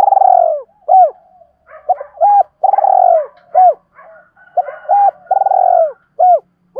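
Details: Male and female spotted doves calling and cooing, used to lure wild doves and train decoy birds: long purring falling coos mixed with short crisp hooted notes in quick, overlapping series.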